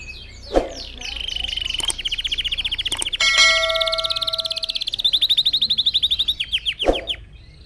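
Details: Red factor canary singing for other birds to learn from: long rapid trills around 3–4k, rolling chirps and sliding notes, a few sharp clicks and a steady pure tone mid-phrase.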